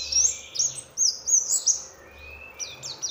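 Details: Oriental white-eye sound used as a lure to make other white-eyes answer: thin, very high slurred whistles and quick chirps, with a lower drawn-out note near the middle.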